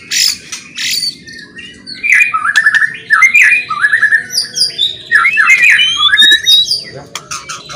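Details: Murai, or white-rumped shama, singing a loud provoking song of scratchy buzzy phrases and rising slurred whistles mixed with harsh squawky notes, growing busier in the second half.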